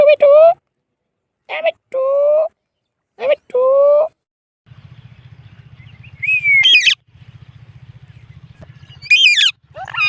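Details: Indian ringneck parrot speaking the words mitthu and mammi in clear, nasal, syllable-by-syllable phrases. A steady low engine-like hum runs underneath, with a few high squeaky notes rising over it.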